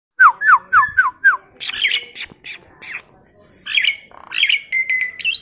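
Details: Tame, talkative Asian pied starling used as a master lure recording to get other birds singing: five quick descending whistled notes in a row, then harsh squawking chatter and bright whistled slurs.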